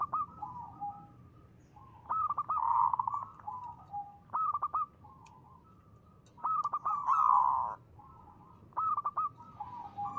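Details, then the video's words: Local zebra dove singing in the crisp 'ngristal' style, used as a lure to prompt other doves to sing: stuttering, mellow cooing phrases repeated about every two seconds, with softer low coos between and faint background hum. "perkutut lokal gacor.suara ngristal ampuh buat pancingan."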